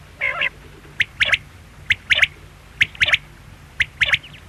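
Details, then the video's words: Quail call opening with one buzzy nasal note, then four crisp triplet phrases, a short note followed by a rapid double, spaced roughly one second apart over low steady hum. "Quail sound|Batair ki awaz|bedana ovozi|бөдөнө үнү|перепелиный звук|بٹیر کی آواز"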